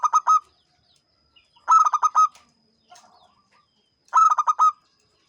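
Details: Three repeated ngancing phrases from a champion local zebra dove, each a rapid string of rich, mid-pitched coos finishing on a held note, about two and a half seconds apart, faint low murmurs between.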